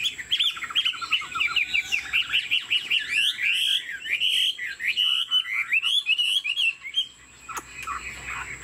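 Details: Chinese Hwamei in a cage, 90% pure by its keeper's account, singing with nodding, dance-like movements. A dense, loud warble of fast-changing whistled notes runs for about seven seconds before fading.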